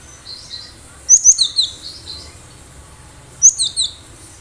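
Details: Wild cinereous tit in full voice, recorded for luring other birds; two bursts of quick, thin, high-pitched chirps with brief descending whistles, about two seconds apart, background otherwise quiet.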